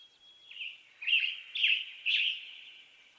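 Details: A western tanager in western North America gives hoarse, slurred phrases, three or four of them about half a second apart, each rising and falling briefly, in a quiet setting.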